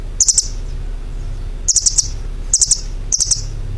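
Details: Small bird giving four short bursts of quick, high chirping notes, each burst three or four sharp tweets, separated by pauses, over a low constant background rumble.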